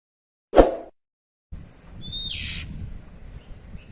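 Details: Oriental magpie-robin (kacer) giving a ngeplong cier call: a thin steady high whistle that breaks into a short, harsh, rasping burst, given once, after a low thud, over rumbling background noise.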